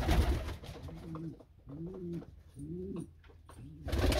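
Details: Norwich pouter pigeon pair in moulting season, kept in a Pakistani loft; three deep arched coos about a second apart, framed by rustling and handling noise at start and end.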